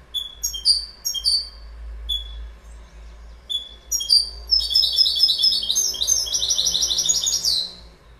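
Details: Goldfinch opens with spaced, sharp, high single notes, then breaks into a long, fast, liquid twittering run of chiming phrases that stops abruptly.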